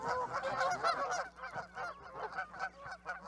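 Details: Canada geese clamouring together, a dense mass of low, nasal honks running quickly and overlapping with no single bird standing out.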